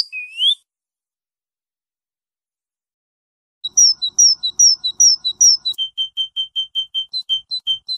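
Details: Goldfinch song: an upward whistled slur, a pause, then a long rapid run of paired high tweets that shifts into evenly repeated lower chirps, about two or three per second.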